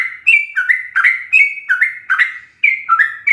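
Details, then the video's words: Sooty-headed bulbul singing in a rapid, full 'ropel' style, kept as a master recording for training captive birds: bright whistled two-note phrases, dipping then rising, repeated in quick succession with short gaps. "Ropelan trucuk gacor full isian"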